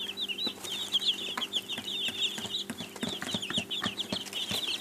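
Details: Chicks of domestic chicken cheep steadily, a sound of hunger or attention-seeking: many thin, high peeps tumble over each other in fast runs, nearly unbroken, with light tapping and rustling in the background.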